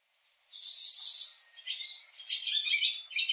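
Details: Barn swallow (Hirundo rustica), song.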